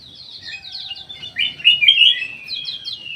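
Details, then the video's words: Black-naped oriole kept in an aviary in Indonesia, singing a flowing series of slurred whistles and warbled notes, with a louder rich phrase in the middle. "KUTILANG EMAS"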